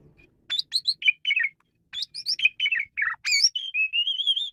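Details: Varied song of a male Asian pied starling, used to lure and train birds: rapid run of chirping, whistled and buzzy notes, closing with a long wavering whistle.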